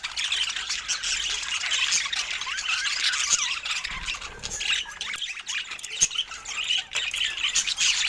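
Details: Pet budgies sharing fruit give busy warbling chatter: rapid high chirps, squeaks and buzzy squawks tumbling over one another, with brief dips in loudness.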